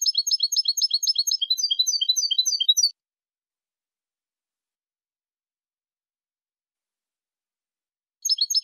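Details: European goldfinch singing a clean linked song with two changes, Mazagan school style: a fast run of short, sharp chipping notes for about three seconds, then long silence, then the same rapid phrase begins again.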